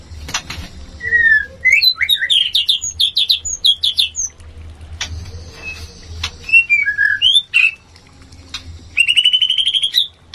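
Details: A White-rumped shama gives a mating song used to raise another shama's breeding drive: rich, varied phrases of clear whistles, slurred notes and quick chattering bursts, closing with a fast rising trill over a faint low hum.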